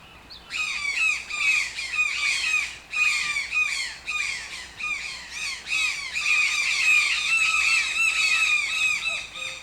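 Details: Toucan calling persistently with dense, rasping, downslurred squawks in rapid succession, building into a nearly unbroken chatter toward the end.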